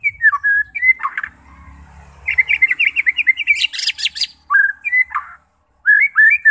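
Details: White-rumped shama song for provoking fighting birds: loud whistled slurs, a fast chattering sequence rising into harsh noisy notes, then further clear whistled phrases after a brief silence.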